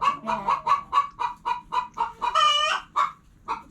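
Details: Quick, evenly paced clucks from hens, about four per second, then a single long, drawn-out squawk followed by a pause and a couple of final clucks.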